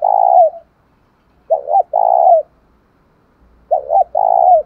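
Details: A lure call of a spotted dove, sung in the thổ sấm style. It opens on the end of a long coo, then two full phrases follow, each with a quick double note and a steady drawn coo. Faint low rumble near the end.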